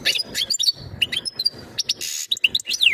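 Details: Male-style European goldfinch mating call meant to bring a female into breeding condition: sharp liquid twittering notes, a harsh buzzy rasp and descending slurred whistles, delivered in quick irregular bursts.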